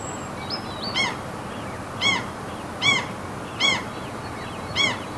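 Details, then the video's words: Gulls calling over a fjord in mountainous Norway: a series of five sharp, ringing, harmonic yelps spaced under a second apart, slightly irregular in timing, with soft high whistles from small birds and a steady ambient roar. "NORWAY SEAGULLS FJORD AMBIENT SOUNDS MOUNTAINS"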